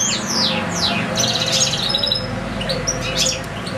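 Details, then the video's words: Caged European goldfinch singing a long recital beside a second goldfinch and two young goldfinch-canary hybrids; fast jumbled twittering with rapid downward-sweeping high notes and buzzy trills, over a steady low indoor hum. "ΚΕΛΑΗΔΉΜΑΤΑ ΑΠΌ καρδερίνες"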